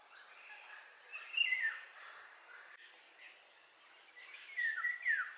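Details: Fluty, whistled song of a Eurasian golden oriole, two liquid phrases with downward slurs roughly three seconds apart, over steady outdoor background noise.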